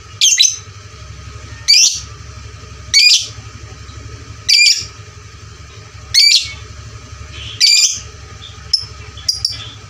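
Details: Lovebird calling loudly as bait song (pancingan) to stir fighter lovebirds; harsh, piercing chirp bursts about every one and a half seconds, with a few quicker short squeaks near the end over a low hum.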